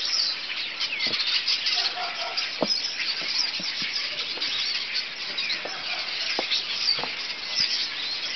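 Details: Many birds crowded on a telephone pole and wires call loudly and continuously; a busy wall of high-pitched chirping and squealing, with scattered short clicks or wingbeat sounds mixed in.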